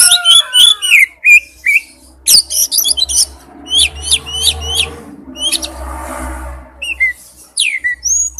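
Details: Male oriental magpie-robin calling to a female: rapid series of sharp, high whistled notes and slurred downward chirps, some rising flicks, against a low steady hum with faint background murmur in the middle.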